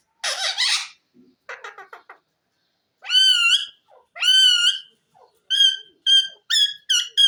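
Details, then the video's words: Green pet ring-necked parakeet talking, the phrase given as "mian mithu chori khani ha": a harsh opening burst, a quick stuttering chatter, two drawn-out arched nasal calls, then a run of short clipped notes about every half second. "mian mitho chori khani ha,lovely green parrot bird talking"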